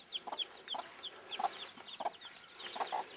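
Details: Bantam broody hen leading her young chicks, giving short low clucks at uneven intervals while the chicks keep up bright, high cheeping notes throughout.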